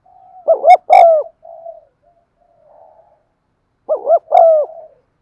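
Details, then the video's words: Spotted dove coo for getting caged birds to coo: a two-part quavering note then a long mellow falling coo, soft low murmuring, and the phrase repeated once more after a gap. "tiếng cu thúc gù hay"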